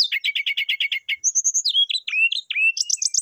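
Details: Brown-chested jungle flycatcher singing vigorously to call a rival: a fast run of about ten repeated descending chirps, a short high trill, then sharp downslurred whistles and high chattering notes.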